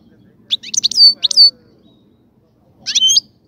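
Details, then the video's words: Caged European goldfinch during breeding-cage preparation, giving a quick cluster of liquid, twittering notes ending in a sliding whistle, then one more bright phrase after a pause. "الغناء الجميل جدا لحسون الحسون"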